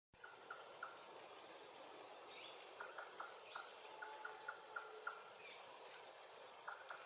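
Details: Green-backed trogon singing in French Guiana rainforest: a steady series of short, soft, mid-pitched notes, evenly paced, with thin, high calls of other birds and insects in the background.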